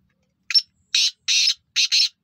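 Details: Black francolin calling: a series of harsh, buzzy grating bursts, one short note then longer rasping notes with a final doubled burst, clean with silence between.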